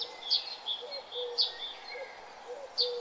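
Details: Wild birds chirping outdoors: soft high chirps and short whistled notes, with louder bright chirps near the start, middle and end, over a steady series of low, brief notes and faint background noise.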